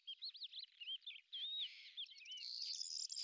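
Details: A lesser grey shrike in Azerbaijan utters looping whistled notes and short slurs, then a harsher, steady high-pitched rasp in the final second.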